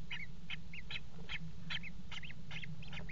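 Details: Common kestrels copulating on the rim of a nest box in a water tower, February 5, 2018: fast chattering series of high bent notes with scratchy bursts between them, low hum underneath.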